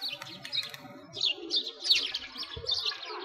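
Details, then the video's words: Sparrows by a frozen lake in Bratislavsky Park, Moscow, on a winter walk: bright, sharp chirps in short bursts, louder toward the middle, over faint low background noise. "Sparrows singing"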